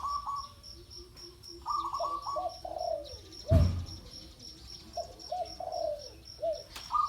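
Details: Spotted dove calling in a recording linked to dove decoy trapping on the ground: repeated mellow cooing phrases of two or three notes, in bursts with pauses, over a steady pulsing high insect tone, with one sharp thump midway.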